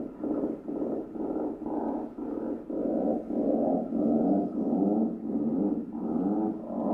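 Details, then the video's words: Atlantic puffins in a breeding colony in Maine, heard all around from inside an observation spot, give low, drawn-out growling moans. Several birds call at once, overlapping and swelling about every half second. "And this is what puffins sound like when you have the joy of being in the middle of a puffin colony."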